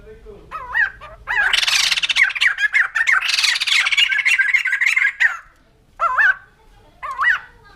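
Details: A few wavering whistles lead into a long, loud, raucous laughing chatter from a white-crested laughingthrush, followed by two separate rising-falling whistled phrases near the end.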